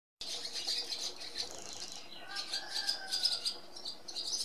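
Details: Barn swallows (Hirundo rustica) twittering in a dense, continuous chatter of high, scratchy notes, growing busier and more uneven in the second half, with a soft lower whistle drawn out briefly in the middle.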